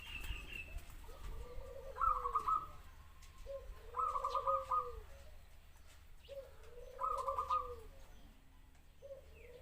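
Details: Zebra dove song repeated about every two and a half seconds: a soft low downward coo, then a rapid rolling trill of staccato cooing notes, with faint twitters nearby.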